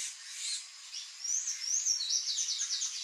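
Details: Sanhaço-do-coqueiro (palm tanager) delivering a high-pitched, rapid, squeaky warble. Short slurred and rising notes run together in a continuous chattering stream, steady and clear throughout.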